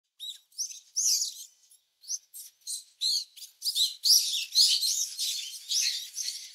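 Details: Brown-eared bulbul feeding its young chicks in the nest, filmed up close: bursts of high, squeaky, chirping notes in quick irregular succession, about two per second, growing louder and denser toward the end, with no other sounds.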